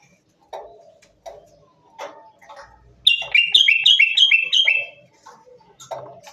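Common bulbul giving short, throaty chirps, then a quick run of five bright, bubbly falling notes. After that come a few softer low notes.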